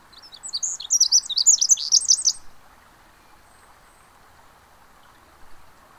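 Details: A Pacific wren at the Mamquam Spawning Channels gives a two-second burst of very high, rapid tinkling notes, then falls silent over a steady background rush like distant water.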